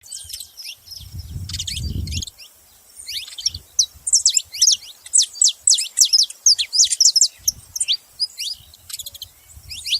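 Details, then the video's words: Saffron finch calling: dense bursts of sharp, high, downward-slurred chirps, with quiet gaps between flurries, growing busier and more rapid in the second half; brief low rumbling near the start. "canário da terra fazendo barulho"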